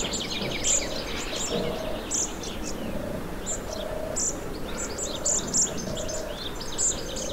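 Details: Young song thrush being fed after leaving the nest, in a Brittany garden in Morbihan, 27 June 2023: piercing high squeaks in loose series, with soft low hooting-like tones repeating underneath and faint chirping throughout.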